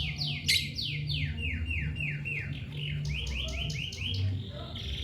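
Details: Lovebird chirping: a rapid series of bright descending chirps, then shorter stepped chirps repeating about every quarter second, over a low steady hum.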